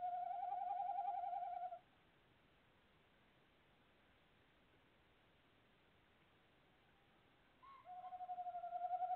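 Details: At a nest box on 25 February 2018, a tawny owl gives two long, even, quavering trills, each a sustained mid-pitched tone with a fast pulse, separated by about six seconds of near silence.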